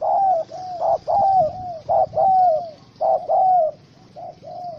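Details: Trapped wild spotted dove, angry, caught with a small rope on 04/07/2017, repeats short-then-long coo pairs almost continuously, each long note gently falling at the end, with faint background hiss.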